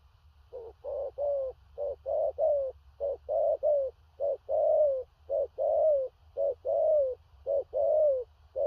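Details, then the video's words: Fast run of stuttering gù cà lăm coos from a large spotted dove, thổ rặc style, two- and three-part phrases with descending drawn notes, over a low steady hum. "Cu Gáy/THỔ RẶC ÂM KHỦNG/Clip455/Nước Xa Thúc Kèm Gù Cà Lăm/Tướng Bộ To Bự"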